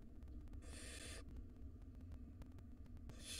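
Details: Nestling barn owls in a wild nest box, fed rodents by their mother: one harsh hissing screech lasting over half a second, then another starting at the end, above a low droning hum.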